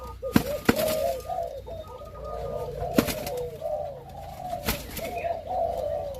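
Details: Spotted dove of a Malaysian strain, a captive breeding pair being re-paired, male with an F1 female; soft low cooing phrases run almost continuously, broken by sharp clicks and knocks in an indoor setting.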